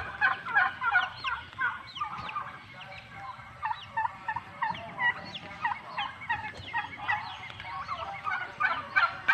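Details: Several male turkeys, separated from the hens, gobble almost without pause: dense, bubbling, rattled calls overlapping from multiple birds, some louder surges, steady farmyard background.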